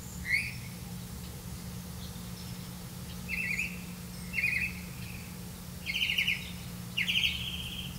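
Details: Grey-capped greenfinch bringing crickets to its young; buzzy nasal trilled calls, each about half a second long, given every second or so, with faint other chirps.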